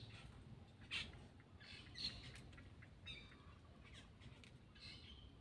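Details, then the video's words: Black-winged myna calling while feeding, giving short harsh high-pitched bursts about once a second, each a brief scratchy squawk, over a steady low hum. "cucak Keling bar bar"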